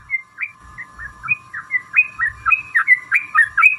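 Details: Sooty-headed bulbul giving a long 'ropel' lure song to trigger other bulbuls to sing; a string of short rising and falling whistled notes, growing louder and faster, over a continuous low steady tone.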